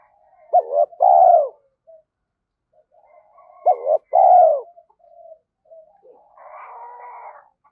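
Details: Captive Spotted dove decoy cooing to stimulate other doves: two three-part coo phrases about three seconds apart, each clipped notes then a long mellow hoot, ending with a faint scratchy rustle.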